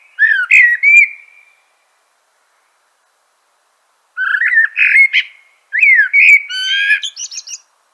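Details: Loud, close common blackbird delivering short fluting phrases that drop in pitch, each closing with a rapid squeaky high twitter, separated by several seconds of silence.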